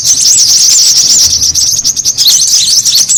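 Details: Brown-throated sunbird lure call, used to attract birds: dense, busy high-pitched twittering of rapid chirps and short whistled trills, continuous throughout with no pauses.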